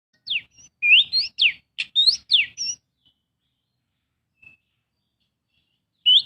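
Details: Oriental magpie-robin singing a lure song meant to prompt other birds to sing: one lively phrase of alternating rising and plunging whistles, then long quiet with a faint note, and a new phrase starting at the end.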